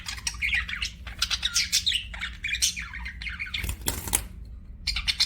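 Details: Budgie chirping: quick squeaky warbled notes and chatter, broken by a brief broadband rustle like wing flaps near the middle, then a few more chirps.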